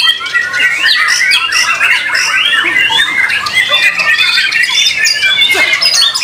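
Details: Caged white-rumped shama (murai batu) from a Solo squad performing at a singing competition, praised for melody, power and long working time; a dense, continuous stream of varied whistles, chirps and rapid trills with no pauses.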